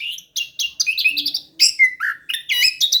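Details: Rolling song of an orange-headed thrush, meant to coax a silent bird into singing: dense run of sweet whistled and slurred notes mixed with harsh chirps, delivered quickly with short breaks between bursts.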